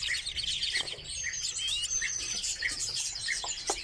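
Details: Redpolls held in captivity give quick twittered chips repeated about every half second, with a thin, rising whistled slur in the middle.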